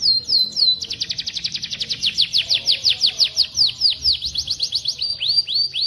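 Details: Birdsong from a masteran of cucak jenggot, cililin and canary: a few looping whistles, then a fast, even series of sharply falling high notes, roughly five per second, ending in slower drawn-out downslurs.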